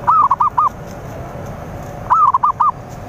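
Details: Zebra dove song for luring rival birds, two matching phrases two seconds apart, each a rapid series of five gentle coos beginning with a drawn-out wavering note, with light hiss in the background.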